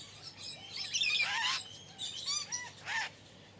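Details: A budgerigar warbles a varied string of whistled notes, chirps and buzzy phrases, some notes sliding, with short breaks between them.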